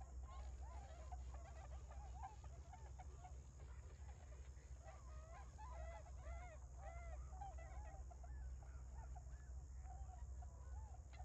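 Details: {'text': 'Newly arrived migrant tundra swans calling energetically in rice fields near a lagoon in Hakui, Japan, in early November: a steady chorus of overlapping rising-and-falling whooping notes from many birds over heavy low rumble.'}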